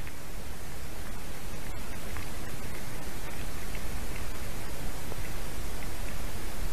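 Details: Continuous loud wind or static hiss with faint scattered clicks and no animal call.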